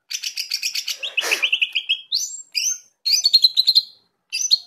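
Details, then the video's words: Greater green leafbird song, offered as a reference for training other birds: rapid high chattering notes, then a long run of warbled whistles stepping upward, followed by bright rising and falling whistled phrases with short gaps. "CUCAK IJO GACOR NGENTROK ..!! COCOK BUAT MASTERAN"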